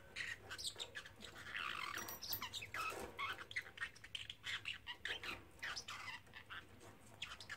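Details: Young pet parrotlet, a three-month-old male, saying phrases over and over, including "Silly Birdie Bird"; a dense, continuous run of raspy, squawky syllables rising and falling, with a faint low hum indoors.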